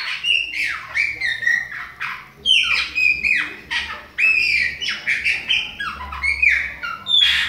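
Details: Chopi blackbird song of the Bahia type, a young bird also mentioned. A continuous run of short whistled and slurred notes, many dropping in pitch, arrives in quick bursts about every half second.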